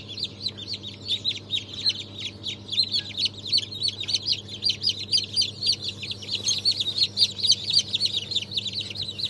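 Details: Many newly hatched chicks (Brahma, Fizan, Australorp, Legbar breeds; hatch of 3 March 2023) peeping loudly and nonstop, piercing short chirps several per second in a busy, uneven chatter over faint low humming.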